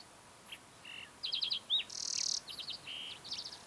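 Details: A green-tailed towhee sings on a June morning high on the Mesa Verde Plateau, Colorado: a quick jumble of high clear whistles, buzzy trills and a rasping burr, all packed into under four seconds.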